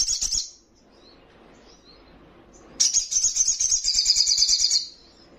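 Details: Young sunbird singing hard to provoke rivals: a brief high chirp burst, a quiet stretch with faint twitters, then a sustained, fast high trill lasting about two seconds.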